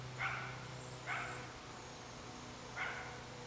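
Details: A Cooper's hawk nestling about 34 days old, feeding at the nest in Racine, Wisconsin, on 10 July 2012, gives three short, harsh, squealing begging notes at uneven intervals over a low, steady hum.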